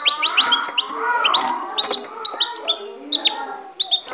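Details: Goldfinch from Ecuador, kept at home, giving high twittering song of clipped rising notes and sharp chips, loosely spaced, with a low continuous background noise.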